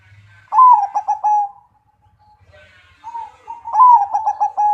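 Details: Zebra dove in the crocing style with a big voice gives two loud phrases, each a rising lead note followed by quick stuttered coos and a long steady tail, with a quiet pause between.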